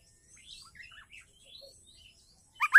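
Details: Female white-rumped shama calling to the male: a run of soft, varied whistled and chirping notes at middle to high pitch, closing with two loud, sharp, high chirps.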